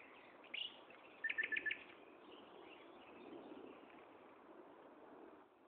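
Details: Common nightingale at Gaasperzoom, 16 May 2012, 15:30, giving one bright chirp followed by a short quick series of four or five clipped repeated notes, then only steady rushing background noise.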